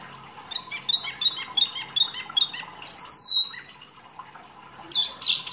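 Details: Wambi song kept as masteran training material: a run of short, evenly spaced chirps, then a long, very high, falling whistle and a final burst of shrill notes.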